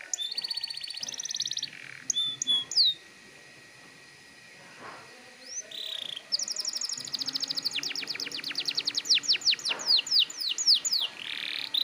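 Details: Canary in loud, persistent song, used to coax young canaries into singing: bursts of rapid trills and buzzy rattles, sharp down-slurred whistles, then a long fast series of repeated notes after a brief quiet gap.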